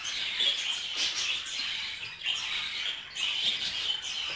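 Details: Inside a cage, mating budgerigars chatter steadily, a dense stream of high scratchy chirps broken by crackly clicking bursts at roughly one-second intervals.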